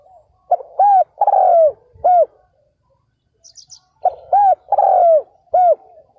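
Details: Decoy spotted dove calling from the ground to lure wild males in 2022. It gives two near-identical phrases of low coos, each with a long, gently falling central note and a clipped final coo. A short pause separates them, filled by brief high chirps.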